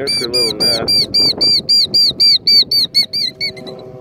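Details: Female killdeer that lays her eggs among rocks, upset by a person nearby and luring threats from the nest with a broken wing act, gives a loud series of about fourteen high, sharp, arched calls, several per second, fading at the end over faint background noise.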